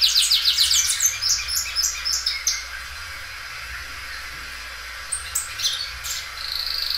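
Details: Belgian canary, a well-kept loud singer that stretches its song many times, opens with a fast even trill of sharp repeated notes. The trill stops abruptly, and a few scattered high chirps follow after a short quiet gap.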